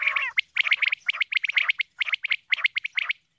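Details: Female common quail call, used as a hunting call: a quick run of short, harsh, wheezy notes, about four or five a second in loose bursts, on a clear background.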